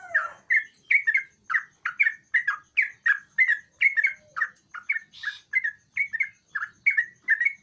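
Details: Sooty-headed bulbul singing actively, its song used as a lure to draw a quiet bird into singing: loud, bubbly, slurred two-part phrases repeated about twice a second in a steady run, with a faint constant high hum behind.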